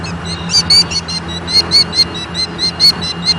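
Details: Killdeer in Leach Park, Bettendorf, Iowa, at 8:43 on 25 June 2014, agitated and giving shrill, high, ringing notes in quick pairs and clusters, repeated every second or so, over a low engine hum.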